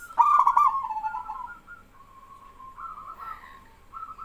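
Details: A local male zebra dove sings hard while other doves answer. A stuttering burst melts into long rolling coos, and quieter trilled replies rise and fall afterward.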